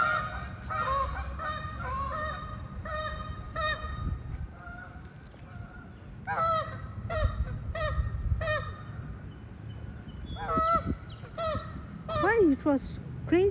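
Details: Angry goose in a chase, harsh honking: a run of evenly spaced nasal honks, then louder clustered blasts and rising, strained cries near the end, with low background rumble throughout.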